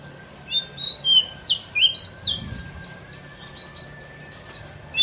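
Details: Oriental magpie-robin, a lure recording for trapping in the forest, giving lively whistled phrases that rise and fall, clustered in the first half and then fading to a faint distant note, over a steady hum.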